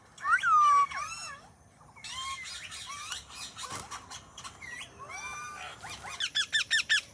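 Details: Indian ringneck parrot chattering; a busy mix of rising and falling whistles, short chirps and buzzy notes, finishing with a rhythmic run of about six quick sharp calls.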